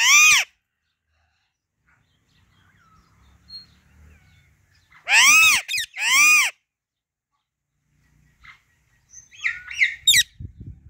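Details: Natural calls of a female Alexandrine parakeet: a loud harsh squawk, a long pause with faint low rumbling, then two strong screeches close together, and finally quieter clipped chatter.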